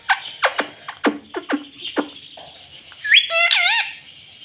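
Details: Pet ringneck parrot known for saying "mummy" and "mitthu": a series of sharp downward clicks and sweeps, then a short burst of wavering harmonic speech-like notes.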